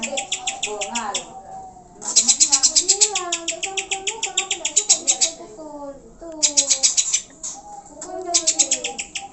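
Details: Greater green leafbird singing, played to provoke pet birds into eager, excited song: loud runs of quick, piercing repeated notes broken by short pauses, with a layer of lower gliding whistled phrases underneath.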